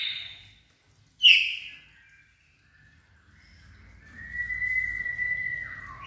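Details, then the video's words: White-rumped shama in peak condition, steely voice: a high whistle, then a single sharp piercing note, a pause, and a long level whistle that drops at its close, with a low rumble beneath. "shama bird"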